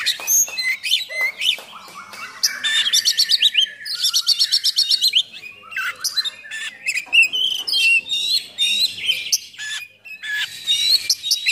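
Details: Oriental magpie-robin in energetic full song with coarse fill-in notes for provoking and training other magpie-robins; bursts of rapid stuttering notes, buzzy rattling trills and sharp whistled slurs, delivered almost nonstop.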